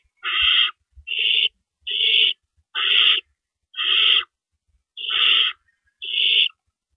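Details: Nighttime owl nest, 4:31 AM, April 4, 2012, with adults bringing and removing rabbits; seven steady, scratchy hissing calls, each roughly half a second, repeat about once a second over a quiet background.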